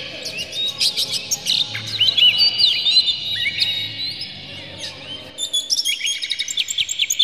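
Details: Oriental magpie-robin song used to provoke the bird into singing: varied, clear whistled phrases with rapid chirps and sweeping notes, rich and continuous, with scratchy trills near the end.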